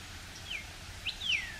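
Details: Northern cardinal singing high in a pine tree first thing in the morning in late winter, a sign of coming spring: three clear whistled notes, each slurring sharply downward, the last longest and loudest, over a faint low outdoor hum.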